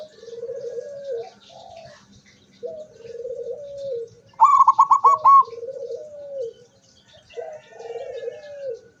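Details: Zebra dove with open beak, 24 September 2023: repeated low, quavering coo phrases at steady intervals, broken midway by a loud, higher, clipped trill of around six pulses.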